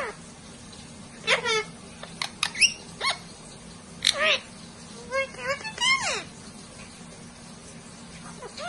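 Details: Parrots chattering to one another in a humanlike way: quick clicks, short squeaks and steep swooping harmonic calls in bursts, over a constant low hum.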